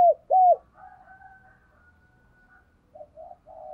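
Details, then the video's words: Decoy spotted dove calling to attract wild birds: two loud coos at the start, then faint drawn notes and soft coos trailing off. "Tiếng Chim Cu Mồi THÚC Và GÁY GỌI Bổi, Dùng Kích Bổi Rất Hiệu Quả"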